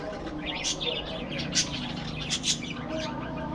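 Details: Budgerigar chatter: a few sharp, bright chirps about once a second mixed with softer scratchy twitters, over a noisy low background.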